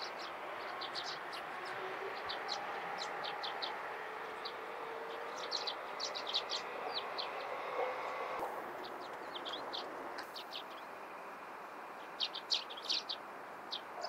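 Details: Morning calls of Eurasian tree sparrows: bursts of short high chirps, uneven in timing, sometimes thinning out, against a fairly loud continuous background hum resembling distant traffic.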